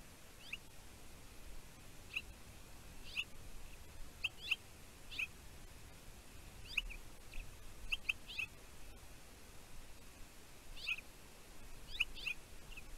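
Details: Bald eagle chick, the pair's only offspring, calling at its nest on Catalina Island, California, USA, on 15 June 2023 about its mother's food deliveries. Short, high, squeaky chips come singly or in quick pairs every second or two over steady hiss from the nest camera.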